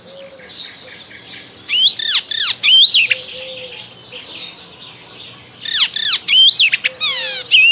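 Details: Icterine warbler in spring song, delivering loud bursts of steep downward-sweeping notes mixed with looping whistles, grouped in phrases separated by quieter gaps, other birds faintly audible.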